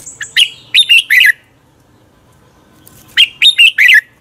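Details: Competitive morning song of a red-whiskered bulbul for training birds to sing: two rich, fast phrases of three to four bubbling, downslurred notes, separated by over a second of near silence.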